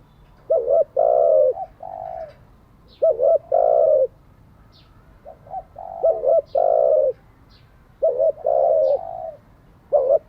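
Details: Spotted dove cooing, played for training decoy and freshly caught doves: series of low coo phrases, each opening with quick stuttered notes then a long swelling coo and a softer tail note, repeated every two to three seconds.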